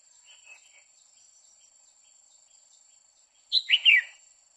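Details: Hen red-whiskered bulbul, singing continuously to stir a male: a faint twittering note, a pause, then a loud, lively burst of three slurred chirps, with a thin constant high-pitched whine behind.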